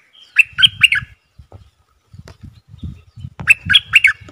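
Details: Bulbul lure call for wild birds: two brief bursts of quick bubbly notes separated by a gap filled with soft knocking and tapping sounds.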